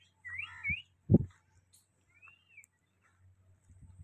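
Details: Rose-ringed parakeet, a pet talking parrot outdoors enjoying nature, giving a short burst of harsh, arching chirps, then a single thinner chirp about two seconds later, with low thumping and handling knocks in between.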